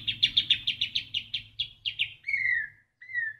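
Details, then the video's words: Murai batu isian song: around thirteen fast chipping notes that gradually slow, followed by two drawn-out falling whistles, with low humming noise underneath. "Full Isian Murai Batu"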